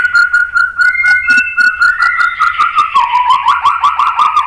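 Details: White-rumped shama song used to provoke other shamas to sing: a steady whistled tone breaking into quickening, rhythmic chattering notes.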